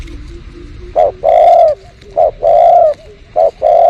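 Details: Spotted dove calling behind household plants while being lured in 2022: three evenly spaced phrases, each a short note followed by a long, steady hollow coo, roughly every 1.2 seconds.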